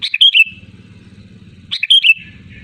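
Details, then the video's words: Loud, lively sooty-headed bulbul calling to rivals, used as a lure. Two short bubbly whistled phrases with rising and falling notes, separated by about one and a half seconds, over a steady low pulsing hum. "SUARA ASLI BURUNG KUTILANG GACOR LANTANG MEMANGGIL LAWAN"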